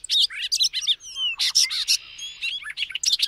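A Bobolink pours out a rapid, bubbling jumble of metallic, tinkling notes, with quick up-and-down slurs and a brief buzzy note in the middle.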